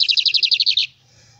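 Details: Tame lined seedeater (bigodinho) singing while perched on a hand: a quick, even trill of about a dozen high buzzy notes lasting under a second, then quiet.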